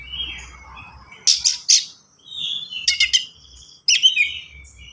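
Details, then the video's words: Oriental magpie-robin (kacer) pouring out varied, dense song meant to get young birds singing and copying: harsh buzzy bursts, a soft warble, clicking chatter and sharp whistled notes in quick phrases. "KACER GACOR SPEED RAPAT FULL ISIAN"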